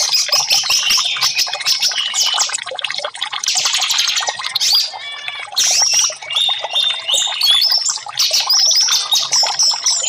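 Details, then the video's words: Orange-headed thrush singing for bird-training therapy aimed at caged birds that stay silent: a long, unbroken stream of varied high whistles, trills, buzzy bursts and squeaky notes, changing phrase every second or so. "TERAPI Burung Anis merah 5menit burung macet langsung respon"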